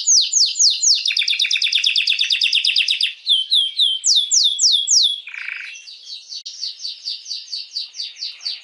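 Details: Canary song played to stimulate females for mating: a run of descending whistled sweeps, then a rapid rolling trill, more ringing sweeps, a brief low buzzy note and a softer fast trill to finish.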